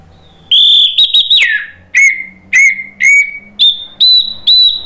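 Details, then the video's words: Orange-headed thrush (anis merah) delivering loud, full 'ngeplong gacor' song: a rippling high whistle sliding downward, then clear whistled notes at about two per second, first lower and then stepping higher. "ANIS MERAH NGEPLONG GACOR"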